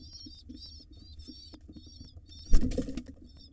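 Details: Wild pigeon nestlings fed by their mother in a nest box squeal in quick high, wavering bursts, then a loud thump and scuffle of movement in the nest midway through.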